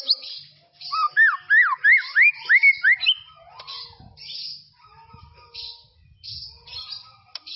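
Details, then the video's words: White-rumped shama singing in tropical forest, a basic master recording for young birds: a run of rising whistled notes repeated about three per second, then softer scattered chirps and trills. "BEST SUARA KICAUAN MURAI BATU HUTAN TROPIS"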